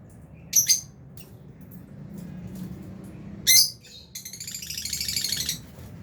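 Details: Aviary flock of albino and Fisher's lovebirds: two loud high squeaky chirps a few seconds apart, followed by a stretch of fast, scratchy, rising chatter.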